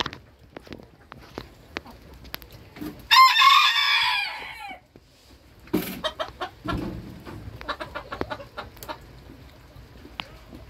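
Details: A Booted Bantam rooster at a kitchen garden gives one loud, hoarse crow that rises and then trails off.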